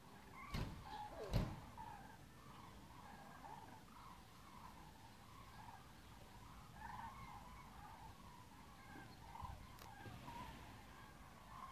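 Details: A distant flock of migrating common cranes near Korschenbroich gives rolling, trumpeting calls that overlap almost continuously, over low traffic rumble and two sharp knocks near the start.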